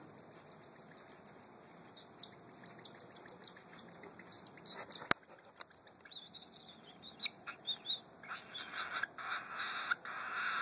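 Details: A baby cockatiel being fed corn by its mother gives rapid, high, scratchy begging chirps in a steady rhythm.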